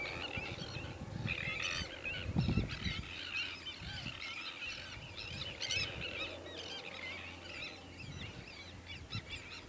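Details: Pied avocets on Texel, Netherlands, 06-07-2013: a busy chorus of short, clipped, fluty notes overlapping from several birds, repeated quickly throughout, over a steady low rumble of wind.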